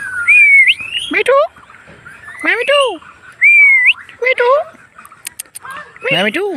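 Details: Pet Indian ringneck parakeet making a funny sound: clear rising whistles alternate with loud, downward-sweeping harmonic squawks in several bursts, with a few sharp clicks between them.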